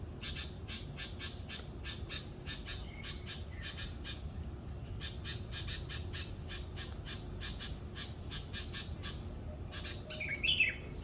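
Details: Bird calling in the morning in Indonesia, a long steady run of rasping, clipped squawks repeated several times a second, ending with a brief brighter chirping phrase, low hum beneath.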